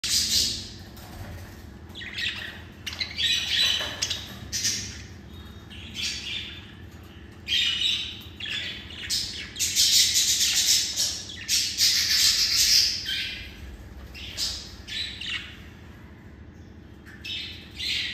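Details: Newly acquired budgerigars playing with mango chatter in bursts of high, scratchy chirps and squawks in rapid, uneven runs.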